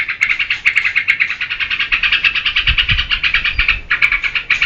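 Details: Yellow-vented bulbul (trucukan) in active song for luring and training caged birds; an unbroken, fast chatter of liquid notes, slightly rising in the middle, with a few faint low thumps beneath.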